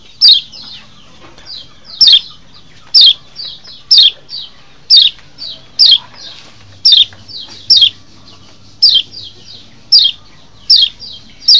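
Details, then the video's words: Lombok white-eye (kecial lombok) lure recording used to draw wild birds during mating season; sharp high chirps, about two every second, each a quick descending note, with softer chips between and a faint low hum. "masteran untuk mancing birahi burung kecial di alam liar"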